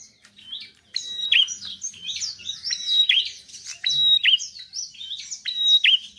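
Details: Busy, lively song of a bar-winged prinia for drawing out reluctant singers: rapid high twitters, sharp swooping squeaks and several bright steady whistles in close succession.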